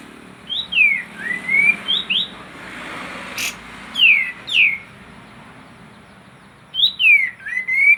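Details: Kapas tembak singing, used to prompt quiet birds to sing: clear whistles that swoop downward then rise, given in short bursts separated by pauses, with a low background hum.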